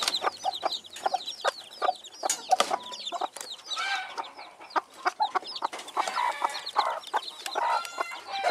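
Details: Silver Phoenix hen and chicks, dated 3/5/2013: rapid low clucks and continuous high arching chick peeps, joined later by louder, rougher squawking bursts overlapping the chatter.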